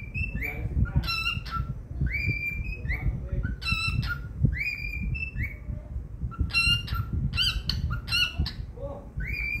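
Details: Pet cockatiel singing happily: bursts of clear whistled notes with ringing overtones, some sliding up and others dropping, mixed with short chirps and sharp squawky notes, over a steady low rumble of indoor background noise.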